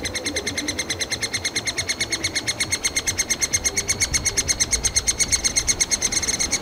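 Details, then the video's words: Hungry three-toed woodpecker nestlings calling from their tree cavity in Kalinovsky forest park, Yekaterinburg, as parents bring insects and ant larvae: continuous rapid high-pitched squeaking, slightly irregular, with faint lower noises behind. "Птенцы ТРЕБУЮТ ЕДУ, Трехпалый дятел"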